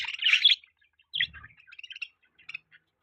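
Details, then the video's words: Budgerigar giving a loud burst of scratchy chirps, then quieter scattered short tweets and clicks with silence between. "Budgie Chirping Sound | Budgie Beautiful Voice | Budgies Parrot Sound"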